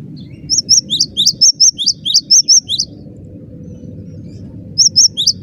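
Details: Cinereous tit singing a dense run of about a dozen sharp, high paired notes in quick rhythm, a silent pause of nearly two seconds, then a short fresh burst of the same notes.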